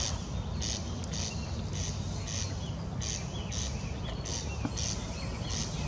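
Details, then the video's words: Corn crake giving its grating call, paired dry rasps repeated steadily about every half second, clearer than the constant low background hiss and rumble. "Крики коростеля"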